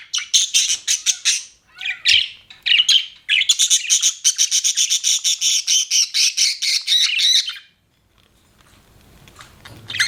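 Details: Pet budgie chirping in quick pulsed bursts, then a steady four-second stream of evenly repeated rasping notes, ending in near-silence with faint background noise.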